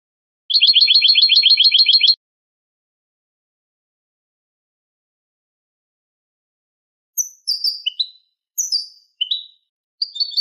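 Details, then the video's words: European goldfinch performing Malaga-style song for young birds to copy: a steady, rapid buzzy trill of about two seconds, a long silence, then scattered high sliding chirps. "Copia malaga élégante para memorización niños de pájaros ( Jilguero y Mixto) CD Goldfinch 1h singing"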